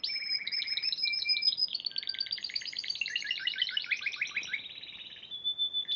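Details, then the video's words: Prize-winning Spanish Timbrado canary from the Piala Raja competition, March 2014, singing a dense, continuous string of fast metallic rolls and trills at several pitches. It ends on a sustained pure whistled tone. "Kenari Spanish Timbrado Juara Piala Raja Maret 2014"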